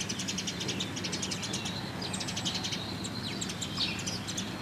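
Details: Italian sparrows at Lake Como, Italy, in March 2016, chirping in quick, bright, overlapping notes almost without pause over a steady low rumble of background noise.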